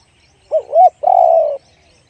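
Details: Spotted dove, one-kuk big-voice cooing: a quick soft note and a swelling hoot, then a sustained, mellow, low coo that tapers gently downward. The surroundings are quiet.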